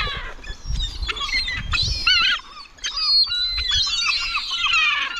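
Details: Gulls at a cemetery calling: loud, harmonic, wavering squeals and mewing cries overlap in quick succession, with short breaks and a low rumble of background noise.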